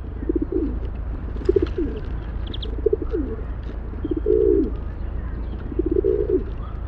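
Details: Rock pigeon cooing in a steady series of low, throaty phrases, short ones alternating with longer rolling coos, while faint high chirps and a low droning hum sit in the background.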